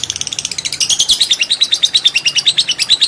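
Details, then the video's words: Lovebird fighter bird giving a long ngekek; quick shrill notes accelerate into a dense, rapid rattling chatter of piercing high chirps without pause. "Lovebird Fighter Ngekek Panjang"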